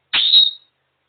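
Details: Pet African grey parrot perched on top of her cage making birdy noises: a single loud, clear whistle, starting with a brief broadband onset then holding a steady high pitch before fading, lasting about half a second, in otherwise silent surroundings.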